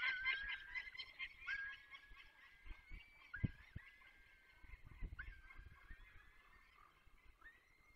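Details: Peregrine falcon in the Barycz Valley, recorded on 24 April 2021 at 8:20. It gives drawn-out, slightly wavering whining calls, each starting with a sharp edge, repeated several times, with a few low thumps in the background.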